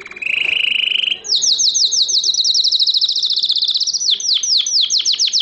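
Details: Canary song, Morocco, 2012: a buzzy mid-pitched trill opens, followed by a long rapid series of high sweeping chirps, later spaced into slower plunging notes.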